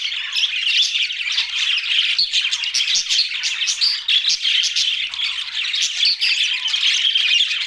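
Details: Pet budgies, the small Australian parrot, in a busy group chorus of overlapping chirps, squeaky twitters and harsh squawks that never pause over nearly eight seconds.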